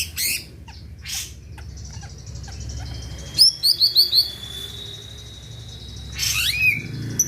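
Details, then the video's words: Greater green leafbird singing vigorously, meant to stir other birds into singing: brief high buzzy bursts, then a quick run of four bright, sharply rising whistled notes, and later a falling slurred whistle over a faint low hum. "Cucak ijo gacor di jamin bikin yang lain ikut rajin bunyi dan emosi"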